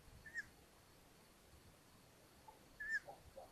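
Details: Long-eared owls at a nest in Hungary on 13 May 2022, as the mother returns from hunting and delivers a mouse to the young: two short, high, squeaky calls about two and a half seconds apart over a quiet background.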